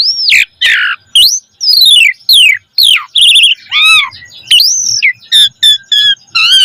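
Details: Asian pied starling singing a varied, richly filled song, recorded as a lure for training other starlings; looping whistled slurs, falling and rising notes, brief trills and harsh squeaks follow one another rapidly, clean background.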